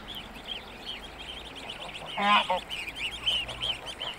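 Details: Greylag geese with their goslings: a run of high, rapid peeping notes continues throughout, broken midway by a louder, nasal honk from an adult.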